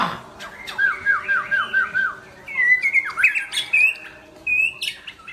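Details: White-rumped shama singing powerfully: a run of six quick repeated downslurred whistles, then varied sharp whistles, rising slurs and high chips in a rich, fast-changing phrase.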